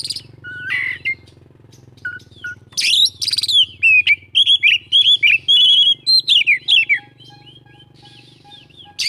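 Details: Oriental magpie-robin singing an 'isian full' song, packed with varied phrases: scattered sharp chirps and short whistles, then a fast run of about a dozen loud, clipped, rising notes in quick succession, ending in softer whistled fragments.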